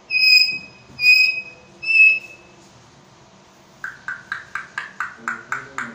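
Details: Talking African grey parrot kept in Pakistan gives three loud, pure, sustained whistles at an even pace. After a pause comes a quick run of about ten short, sharp chirps, each repeated in rapid succession, over a quiet indoor background.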